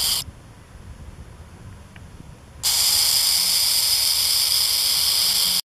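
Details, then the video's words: Owl at its nest protecting its chicks, giving a harsh, steady rasping hiss for about three seconds after a quiet start to drive off a predator, much like a rattlesnake's rattle. "Coruja Brava . Parece som do guizo da cobra cascavel"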